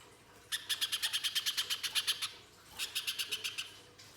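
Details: Little spiderhunter giving its 'mbeset full nembak kasar' song, played as a lure to make spiderhunters sing: a burst of about thirteen rapid, harsh chips, a pause, then a shorter burst of seven.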